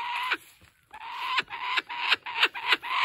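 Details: Laughing kookaburra at a wildlife sanctuary, laughing maniacally while playing with and keeping a stolen stuffed toy: a harsh, raucous chortle, a steady rasping tone broken by quick hoarse notes about three times a second.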